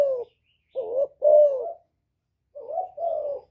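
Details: Spotted dove in the 'thổ' calling style, calling to incite wild males: hoarse, rolling low coos in two groups, a three-note phrase then a two-note phrase, each note dipping and rising slightly, with silence between.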